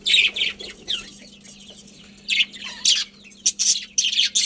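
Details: Budgie colony giving loud, buzzy chirp bursts and shorter warbled notes, alternating with brief quiet gaps over a steady low hum.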